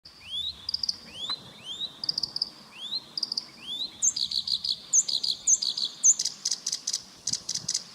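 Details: Black-browed reed warbler song: a series of high, rising whistled slurs, then a rapid run of dry, buzzy repeated notes and sharp chips, all pitched high and delivered in quick, uneven bursts.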